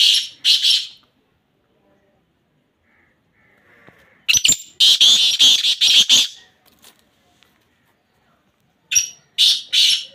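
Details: Black francolin (kala teetar) repeating its rasping, strident call: a short two-note burst, a longer run of about eight rapid grating notes mid-clip, then another pair of harsh notes near the end, separated by quiet gaps.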